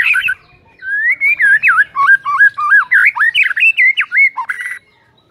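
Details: Continuous white-rumped shama song played to provoke a lazy shama, 'tembakan rapet' rapid style: about four seconds of loud, tightly spaced whistles that slur up and down, each note rising or dipping in quick succession.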